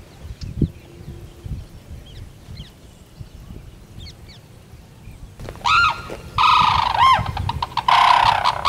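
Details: Sarus cranes, usually seen in pairs, in natural habitat at Bharatpur, India. Quiet low rustling and faint chirps at first, then loud, ringing, harmonic trumpeted calls in bursts, the notes arching up and down and repeated rapidly.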